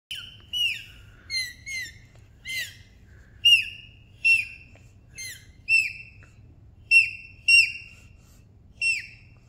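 A bird gives about a dozen high, ringing, slightly harsh downslurred calls, one every half second to a second, over a faint low hum.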